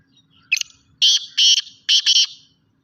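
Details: Harsh, rasping call of a full-size Sindhi black francolin (kala teetar): a short scratchy opening note, then two long grating bursts and a final doubled burst, evenly paced. A faint low rumble runs underneath.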